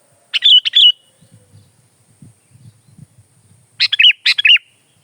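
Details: Gacor kutilang, or sooty-headed bulbul: a crisp chirped phrase, a stretch of soft low murmuring, then two looping whistled notes, each led by a sharp click, recorded as masteran or pikat material.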